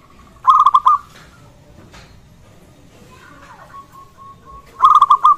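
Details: A local zebra dove sings to encourage other zebra doves to call and to rouse them. A stuttering coo phrase opens and another closes the stretch, with quiet trilled cooing and a few soft knocks between.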